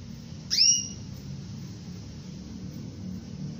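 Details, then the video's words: Female canary calling to a male, giving one high whistled call that drops quickly and levels into a short steady tone, followed by quiet with a soft low rumble underneath. "SUARA BURUNG KENARI BETINA MEMANGGIL JANTAN"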